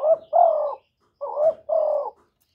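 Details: Close, clear spotted dove cooing, recorded without background noise: two double coos in quick succession, each a short note sliding up into a longer, steady, slightly falling hoot.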